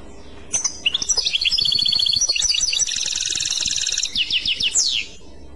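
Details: European goldfinch singing clochette: a sustained, tightly packed series of tinkling trills for about four and a half seconds, ending with a quick falling slur.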